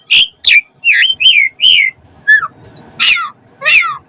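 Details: Asian pied starling in song, played to encourage captive starlings to sing: a series of hoarse, downward-sliding whistled notes, a softer falling whistle, then two more rough, sweeping calls.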